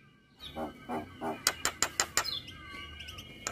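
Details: Male Javan myna singing in the morning, a tutor recording full of varied phrases; after a few soft low notes, six sharp, loud chirps come about every third of a second, then thin whistled tones trail off.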